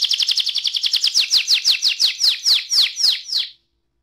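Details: Canary in rolling ngerol song, used to trigger singing in other canaries: a rapid high trill that gradually slows into louder, spaced downward-sweeping notes before stopping abruptly.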